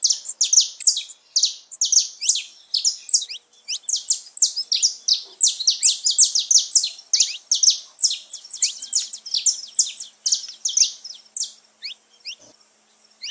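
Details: Extended saffron finch song used to stimulate pet birds, a long, dense sequence of rapid, high, sharp chirps and slurred notes continuing almost unbroken, tapering off near the end.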